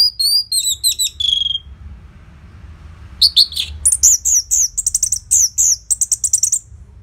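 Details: Orange-headed thrush singing, used as a lure to get other caged birds singing: loud bursts of high whistled, slurred and chattering notes in two phrases separated by a pause, the second a rapid run of short sharp notes.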